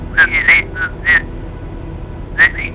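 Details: A pet cockatiel gives short, clear whistled notes, several sliding upward, in a quick burst with a pause before more; it may be the second cockatiel perched on the owner's shoulder.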